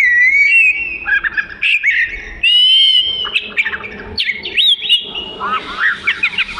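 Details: Kacer, or Oriental magpie-robin, delivering melodious song for tutoring: varied high, whistled phrases with rising and falling sweeps, short buzzy notes and quick chirps in a lively, continuous sequence.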